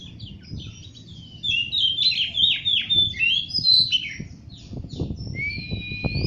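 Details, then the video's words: Oriental magpie-robin singing melodiously: a flowing stream of varied whistled and warbled notes, some sliding up and down, ending on a long clear whistle, over a steady low background rumble. "Kicau merdu si burung kacer"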